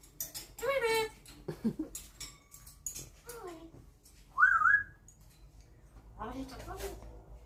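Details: Very loud African grey parrot kept as a pet, which copies a dishwasher beep: busy speech-like chatter and squawks, then a sharp wavering whistled note midway and a closing rising-falling nasal call over low room hum.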